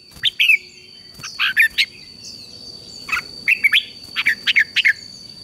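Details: Red-whiskered bulbul song meant to train a wild-caught bird to sing, in brief bright warbled phrases of two to four notes that rise and fall. Phrases come in bursts about a second apart over a steady high electronic tone.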